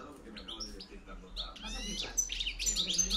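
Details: European goldfinch singing in the 'campero' field style, used as a lure recording: bright twittering and tinkling notes with quick rising and falling phrases that grow louder toward the end, over a low steady hum.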